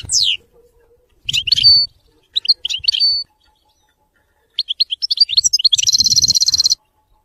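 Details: Goldfinch song in the Widani manner: a sharp downslurred note, scattered liquid chirps, then a quickening twitter ending in a fast, buzzing high trill.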